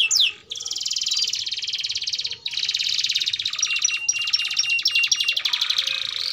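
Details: Canary song, a long-duration gacor bout meant as a lure for young canaries learning to sing: dense buzzy trills and rapid high rolls in three long phrases separated by brief pauses, with a few clear whistled notes.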